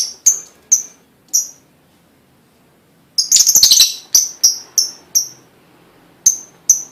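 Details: Lovebird sound for prompting other lovebirds to sing: sharp high chirps, a pause, a burst of rapid buzzy chatter under a second long, then more evenly spaced piercing chirps.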